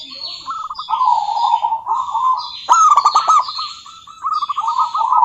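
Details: Local female zebra dove calling a rival with sustained trilling coo phrases, interrupted by a crisp burst of clicking chirps, then a renewed rapid stutter of soft notes.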